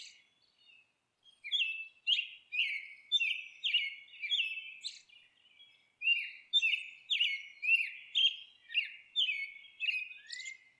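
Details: Long chattering series from a nesting monk parakeet: rough, buzzy squawks about two each second, briefly pausing near the middle, closing with a rising drawn-out screech.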